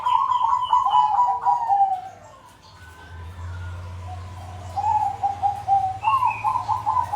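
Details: Caged zebra doves kept as a calling group to encourage silent birds to start; trilled rolling coos that fall in pitch, a pause with low hum, then renewed bubbling phrases.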